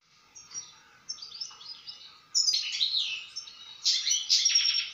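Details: European goldfinch singing: bright twittering phrases of tinkling notes and buzzy trills, growing louder in bursts after a quiet opening, with a faint steady hum beneath.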